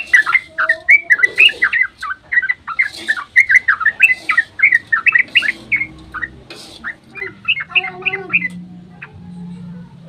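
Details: Yellow-vented bulbul dawn ropel song, played as a lure so other bulbuls call back; rapid run of liquid chirps for six seconds, then scattered notes and a low hum toward the end.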